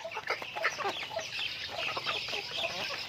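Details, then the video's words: Chickens in daily activity: dense, busy clucking from several birds, short overlapping notes packed closely together throughout. "Natural Sounds of Chickens"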